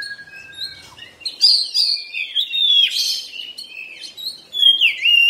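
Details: Oriental magpie-robin delivering a loud continuous medley of slurred whistles and scratchy trills, opening with a soft falling whistle.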